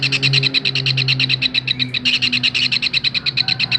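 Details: Kingfisher used to train songbirds, producing a fast rattling string of high, sharp notes, a slight pause near two seconds, with a droning low hum in the first half.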